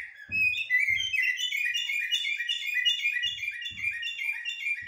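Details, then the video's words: Common blackbird singing in the 'blacksmith' and 'military' song styles: a continuous run of clear whistled notes repeated quickly at a fairly high pitch, with a few soft low thumps in the background. "طائر الجحمومية أو الشحرور بتغاريد حدادية و عسكرية"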